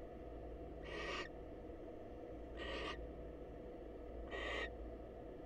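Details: Wild female barn owl at a nest box greeting the male: three evenly spaced, breathy rasping screeches, roughly 1.7 seconds apart, each about a third of a second long, over low steady hum.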